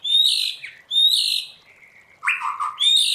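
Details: A white-rumped shama in training sings in the 'forest voice' style: clear, rich whistled phrases, a soft sliding note, then a sharp upslurred whistle followed by more bright notes, with short silences between.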